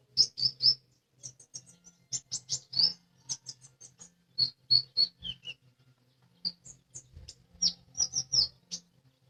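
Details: Lesser green leafbird in energetic song, a rapid stream of high, thin chirps and twitters in bursts, a few lower slurred notes mid-phrase, brief pause, then more quick high notes; faint low hum in the background.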